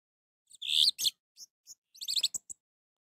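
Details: Orange-headed thrush singing, used to prompt a silent bird into song: a strong slurred whistle, then scattered high sharp notes and a fast cluster of thin chirps with some clicking.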